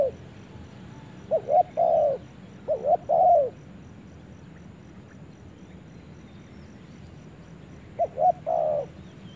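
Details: Spotted dove in forest giving two short coos and a longer coo twice in succession, then a long silence before another such phrase near the end.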